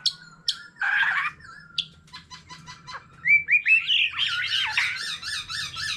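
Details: Old wild-caught white-rumped shama singing many varied phrases in fighting song alongside a laughingthrush, flicking its tail: scattered sharp high notes, a harsh rasping burst, clicks, then rising whistles into a loud warbled run of varied notes over faint low hum.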